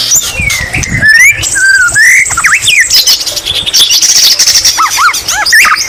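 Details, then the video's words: Loud, continuous song of a white-rumped shama with greater green leafbird (cucak ijo) mimicry: long sliding whistles, sharp zig-zag notes, a sustained high tone and a run of quick looping chirps. "Murai batu isian cucak ijo Gacor Mewah"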